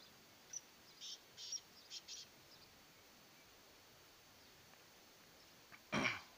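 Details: Black francolin, described as a pure Sindhi Sheedi strain, calling: a quick two-second run of five harsh, scratchy high notes, then silence and a loud broadband rasping burst at the end.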